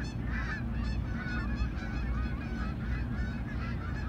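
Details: Flock of Canada geese on approach to landing, honking steadily with short, rising nasal notes, several birds calling at once against a heavy low-frequency roar.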